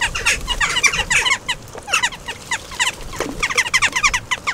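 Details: Many western jackdaws bathing together at a bird bath in Recke, Germany, on 5 May 2021. Dense, busy chattering of short, squeaky, clipped calls overlaps almost continuously, with splashing beneath.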